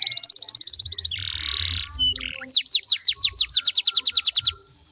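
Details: Canary song for coaxing other canaries to sing back: a fast level trill, a rough buzzing stretch, short chipped notes, then a loud roll of steep falling whistles that fades out.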